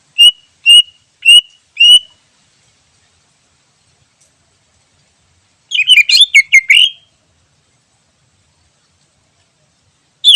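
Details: Wild greater green leafbird singing, its song used as a lure for trapping: four clear whistled notes about half a second apart, a pause, then a quick burst of varied chattering and whistled notes, and one final note.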